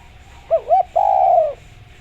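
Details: Spotted dove song meant as a lure for other doves: two quick wavering lead-in notes followed by a long, steady, hollow coo lasting about half a second, low and soft in tone.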